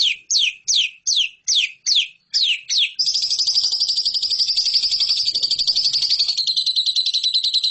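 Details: Lovebird master recording for competition birds: eight distinct falling chirps spaced evenly, then a long, fast, buzzy trill of high notes to the end.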